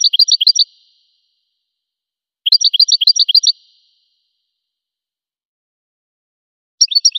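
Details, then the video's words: Goldfinch song delivered as three short, dense bursts of rapid, high, tinkling notes, each lasting under a second, with silent gaps of about two seconds between them. "Magic of the melody of the goldfinch's song"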